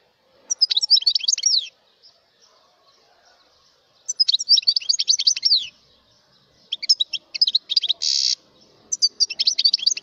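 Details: Mutation European goldfinch singing: bursts of rapid, tinkling, twittering notes high in pitch, each phrase about a second long with pauses between, including a brief buzzy harsh note; otherwise quiet background.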